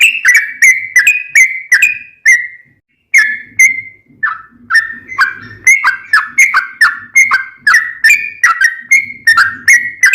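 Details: Sooty-headed bulbul in lively fighting-style song, a master recording for training caged birds that have stopped singing: short loud whistled notes, each dropping then rising, repeated about twice a second, with brief pauses.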